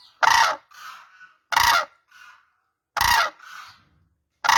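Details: Powerful, grating trumpet calls from cranes, three full blasts plus the start of a fourth, each about a third of a second long and followed by a weaker, lower note.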